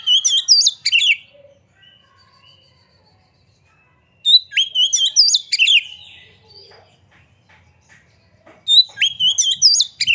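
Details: Oriental magpie-robin in full song with its tail spread, a lure to trigger singing in other kacer. Three loud bursts of fast, varied whistles and chatters with quiet gaps between them and faint background noise.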